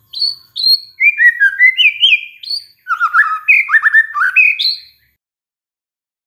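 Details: White-rumped shama reacting to a lure recording: a couple of high whistles, then a cascade of rapid sliding whistled notes rising and falling, followed by silence.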